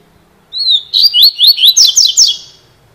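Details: Double-collared seedeater singing a fast, bright phrase: a short whistled lead-in, then a rapid run of high chirping notes, each sliding downward, repeated about eight times and ending abruptly.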